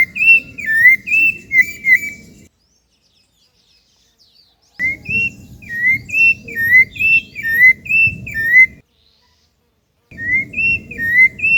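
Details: Rufous-bellied thrush recorded in its natural habitat in Brazil: bursts of clear, repeated whistled phrases, each a short rising-falling slur, roughly one per second, broken by two silent gaps, with a low rumbling background.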